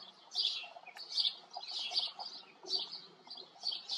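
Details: House sparrows living at a farm give bright, repeated chirps in short bursts roughly every half second to second, each note sharp and high, with faint low background noise between calls.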